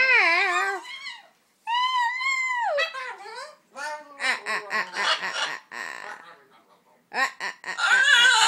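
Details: A macaw tries to imitate talking, producing very fuzzy speech-like sounds: a wavering tonal phrase, a pause, a flat sustained note that drops at its end, then rapid choppy raspy syllables and a final harsh burst.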